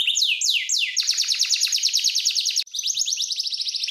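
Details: Canary song for training: three swooping downward whistles, then a long dense trill of rapid repeated notes, a momentary break, and another bright trill.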